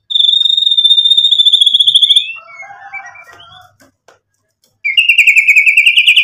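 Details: Murai batu, the white-rumped shama, sings as a lure to draw replies: a long, steady, high trilled whistle, then soft, scratchy, lower mutterings, a short silence, and another bright trill.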